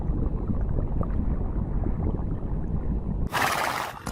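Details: Steady low gurgling rumble like running water fills the recording, ending in a short harsh burst of broad noise.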